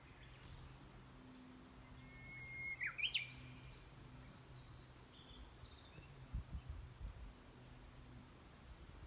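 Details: Japanese bush warbler (uguisu) singing in the mountains of Yamagata, Japan: one long steady whistle followed by a quick twisting flourish, fairly distant, with faint high chirps from other birds and low steady background hum.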